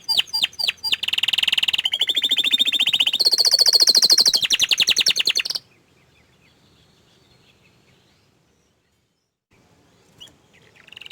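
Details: A canary that is shy to show itself delivers a brief run of sharp chirps, then a long, dense, rattling trill that rises in two steps. It stops abruptly and is followed by near silence with a faint late chirp.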